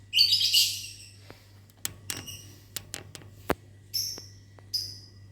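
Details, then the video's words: Lovebirds in a mini aviary in the morning, answering when whistled at: a burst of shrill, harsh high chirps at the start, then scattered clicks and knocks, and two short high chirps near the end over a low hum. "Disiul Lovebirdnya Nyahut Mantab"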